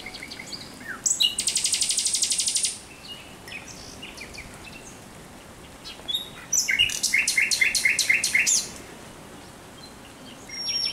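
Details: Nocturnal song of a thrush nightingale, recorded 17 May 2023: a dense rattling burst of fast repeated notes, a pause, then a second phrase of loud, evenly spaced chock notes, with faint background noise.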